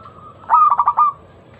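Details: One phrase from a local zebra dove's loud lure song for prompting other doves to sing: a soft low coo breaking into four rapid, resonant pulsed notes, then fading.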